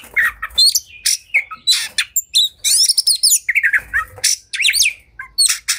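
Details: Oriental magpie-robin singing in a fighting, highly agitated state, said to rouse other birds into spreading their tails; varied bursts of harsh buzzy notes, sharp whistles and rapid chattering trills, with short pauses between phrases.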